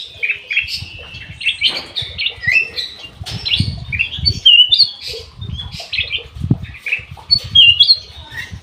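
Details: Ruby-throated bulbul, known locally as kutilang emas, kept in an aviary and singing constantly; bright, warbled and whistled phrases in quick bursts, with wing flutters and soft thumps in the background.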